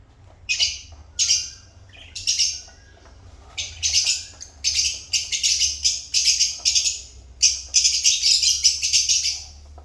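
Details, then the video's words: Chattering African lovebirds: shrill, rasping high chirps, first spaced about every half second, then crowding into rapid, almost continuous bursts toward the end. "African Love Birds Satisfying Sound Effect"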